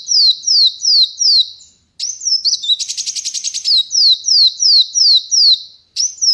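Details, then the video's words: Held in the hand and uncaged, a ruby-cheeked sunbird sings a run of high descending whistled slurs, broken by a rapid buzzy trill and a brief pause, then more falling whistles. "KOWUL EDAN, GACORRR Tanpa Sangkarr"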